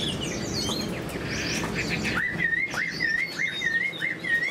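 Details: Caged Chinese hwamei, a spread-tailed bird noted as a good fighter with eagle-like wing display, first gives varied rich whistled phrases over a busy background. It then repeats a short rising-falling whistled motif several times per second.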